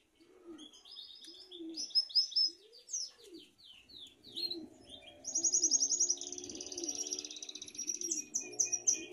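A canary sings rapid, high rolling trills and sweeping whistled phrases without pause, over a low, soft dove-like cooing repeated in the background.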